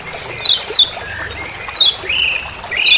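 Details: Lemon-bellied white-eye (kecial kuning Lombok) giving its "ciak ciak" call in forest: sharp, high notes sliding downward, about four in three seconds, mixed with softer, lower flat whistles in between.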